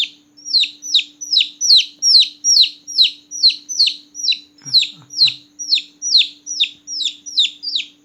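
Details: Small newborn chicks chirping loudly at night: a rapid series of high descending peeps about two per second, with a brief low thump midway and a steady faint hum.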